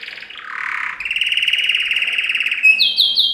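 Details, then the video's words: Yellow canary, Serinus canaria, singing a training song: a buzzy low trill, then a long fast rattling trill, ending in rapid high repeated slurred notes. "Yellow Canary singing video - Serinus canaria - Canary Training Song"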